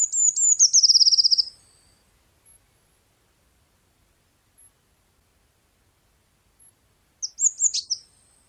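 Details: Blue tit song opening with a fast, high trill of slurred descending notes, a long quiet gap, then a second shorter burst of high twittering notes near the end.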